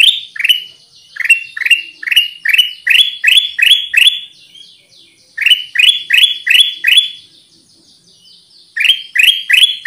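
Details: Kutilang emas, the Black-crested bulbul, sings a lure song of strong, repeated rising chirps in runs of six to eight, with brief pauses between runs and faint high whistles behind.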